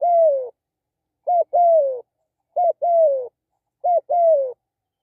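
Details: Spotted dove calling during decoy luring of wild doves: four coo phrases, each a brief clipped note followed by a longer, slightly falling coo, spaced about one second apart in quiet surroundings.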